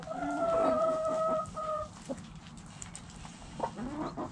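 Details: Backyard chickens, hens and roosters: a drawn-out, strained tonal crow sliding slightly downward, then a shorter second note, followed by a few soft clucks and scattered clicks in a quiet yard.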